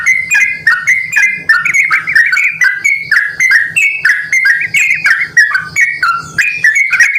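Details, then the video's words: Lure call of the sooty-headed bulbul meant to draw responses from others: rapid, busy chattering whistles, fluty notes jumping up and down in quick succession, with faint low hum beneath. "panggilan burung trucukan gacor ini dijamin trucukan lain langsung merespon"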